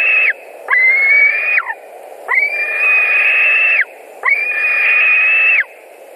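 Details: White-tailed eagles at a nest in Latvia on 16 July 2020, with an adult bringing fish: long, loud, strained whistled calls of about one second each, held level, then dropping at the end, repeated three times with short pauses.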